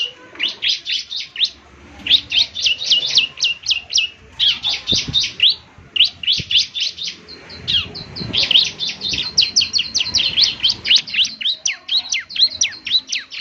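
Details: Bar-winged prinia, a lively semi-mature singer, played each morning so other birds answer. A fast run of sharp, high, downward-slurred chirps in quick bursts with brief pauses and faint low background rumble.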